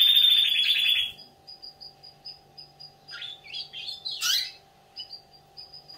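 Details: Baby canary starting to sing: a loud fast rattling trill, then a pause filled by faint high repeated pips, followed by a short scratchy burst of twittering notes.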